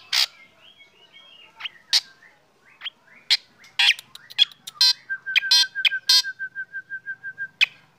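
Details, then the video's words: Black drongo singing in morning sun, prompting other birds to sing: scattered harsh notes building to dense chatter, then a steady evenly spaced rattling trill of short repeated notes lasting about three seconds. "KICAUAN SRIGUNTING HITAM PAGI HARI SAAT DI JEMUR BIKIN BURUNG LAIN IKUT BUNYI"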